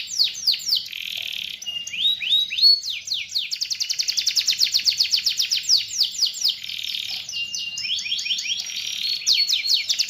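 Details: Canary in full song: fast, continuous high-pitched trills and rolls, long stretches of rapidly repeated sharp notes with arched swooping syllables mixed in, clear and loud with little background noise.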